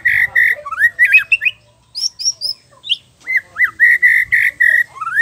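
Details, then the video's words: White-rumped shama in full song, kept to train and provoke other males into singing: rich whistled phrases, steady repeated mid-pitched notes broken by a burst of high rising whistles and quick slurred trills. "SUARA MURAI PASTOL GACOR FUL ISIAN Untuk terapi trotol & dewasa agar rajin bunyi gacor"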